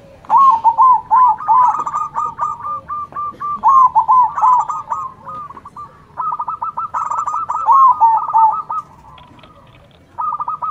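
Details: Zebra dove manggung with local doves answering: loud rolling phrases of rapid, wavering coo notes, each burst lasting one to two seconds, repeated with short gaps and overlapping voices.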